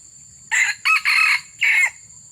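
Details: Luring wild junglefowl, a red junglefowl crows loudly: a clipped, scratchy four-part crow, the third phrase held longest and the last slightly falling, with a persistent high whine underneath.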